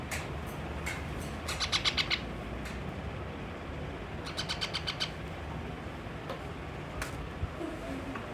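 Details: Angry baby pet parrot refusing its food gives quick bursts of sharp chirps, several in rapid series around two seconds and again near four to five seconds, with lone single chirps between over a steady low background hum.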